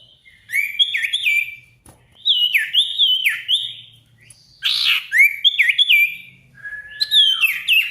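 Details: Sirtu (Ashy Tailorbird) singing actively as a lure for a rival: repeated phrases of paired whistles with sharp downward dips, one harsh buzzy note, and a final long level whistle.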